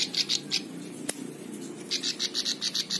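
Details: Plain prinia song for tutoring other songbirds: a few scattered high chirps and a single sharp click, then a quick run of evenly spaced buzzy notes, over a faint low hum.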